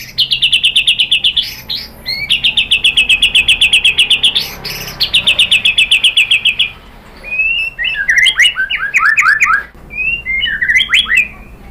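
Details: White-rumped shama song used as a lure to provoke other birds to sing: long bursts of rapid, evenly repeated high chirps, then varied sweeping whistled phrases with quick rising and falling notes.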